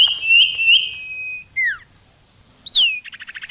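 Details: Common iora call played to lure wild birds: a long whistle with small upward flicks, paired falling notes, a sharp rising-falling note, and a quick run of short chips.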